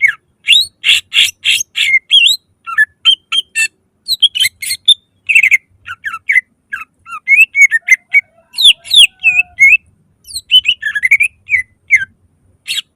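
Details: Loud lure song of a greater green leafbird, used to prompt other leafbirds into singing; dense rapid run of chirps, rasping buzzes and slurred whistles, barely pausing, one brief soft low whistle near the middle.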